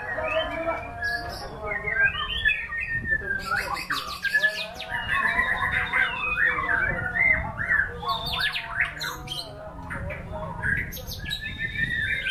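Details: White-rumped shama in full, luxurious-sounding song, mixing clear whistles, fast trills, harsh buzzy rattles and clicking bursts in a long, varied sequence, with a faint low hum.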